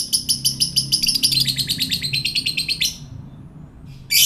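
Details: Long ngekek chatter of a fighter lovebird, used as a lure for other lovebirds: nearly three seconds of rapid, steady, harsh high notes, slightly accelerating, then a pause and one loud sharp chirp.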